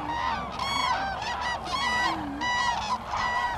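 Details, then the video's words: Many common cranes calling together at Lake Hornborgasjön in Sweden, April 2017; rolling, trumpeting bugles rise in bursts about every half second, layered over a constant crowd hum from the large gathering. "Cranes Sweden Lake Hornborgasjon"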